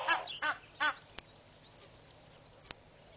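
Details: One of an Egyptian goose pair guarding their goslings at Pete's Pond, Mashatu Game Reserve, Botswana, on 14 January 2013 gives three harsh, nasal honks within one second, then quiet with a couple of sharp clicks; a grey heron grumbles nearby.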